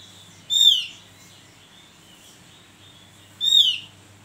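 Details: Opior jawa, the Javan grey-throated white-eye, in a tutoring recording: two loud, pure whistled notes about three seconds apart, each falling in pitch, with near silence between them.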